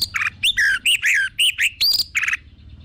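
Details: Orange-headed thrush song used to prompt other birds to sing: a loud, varied run of short whistled and slurred phrases, some rising and some falling, packed closely with brief gaps over about three seconds.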